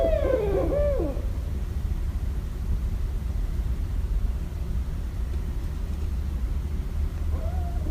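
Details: Barred owl in Westchester, New York, recorded 1 May 2017, gives a brief wavering hoot sliding downward, then a short fainter note near the end, over a steady low rumble.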